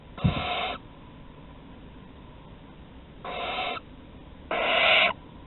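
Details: Barn owl family at Théding, France, 15 August 2020, filmed by webcam at the nest entrance during prey deliveries; three harsh, rasping hisses, the last one loudest, separated by quiet pauses, plus a soft thump at the start.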